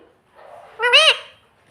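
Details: Pet parrot imitating the words "mummy" and "papa": a single short, rising-then-falling voiced syllable with rich harmonics, lasting under half a second, after a soft murmur.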